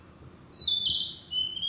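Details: One whistled Narcissus flycatcher phrase from woodland where the species breeds in summer: a thin high note, a loud warbling stretch, and a lower sustained whistle to finish.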